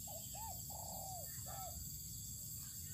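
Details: Spotted dove outdoors sunning on open land, delivering a single four-part coo: soft short note, curved coo, long level coo sliding down, quick final coo; steady high buzz of insects throughout.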